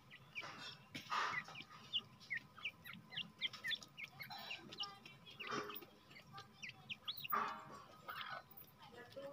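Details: Grey francolin (jungle teetar) being released, producing clusters of short hooked, rising chirps between louder rustling bursts, with faint clicks and steady background hiss.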